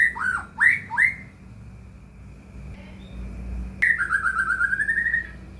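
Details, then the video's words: White-rumped shama lure song for caged shamas: three quick swooping whistles, a quiet gap with a faint low rumble, then a long rippling, slightly rising whistled trill. "murai batu gacor AMPUH buat PANCINGAN murai batu agar bunyi"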